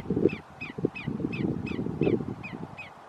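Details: At Roxbury Park in Meggett, South Carolina, 1/5/2019, a greater yellowlegs gives eight quick, ringing whistled notes, each dropping slightly in pitch, over a constant low rumble of wind.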